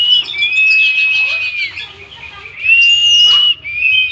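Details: Oriental magpie-robin delivering drawn-out whistled notes overlaid with rough buzzy trills, then a higher clear whistle and a short closing note.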